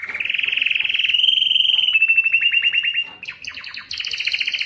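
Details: Belgian canary song meant to stimulate hens for mating, a nonstop run of trills: a smooth rolling tour, then a slower series of sweeping chirped notes, then rapid higher rattling phrases.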